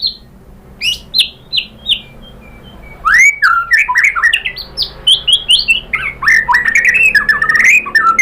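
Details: Provoking song of a white-rumped shama, used to stir another bird to reply: spaced high whistles at first, then a rapid, dense stream of slurred and chattering notes.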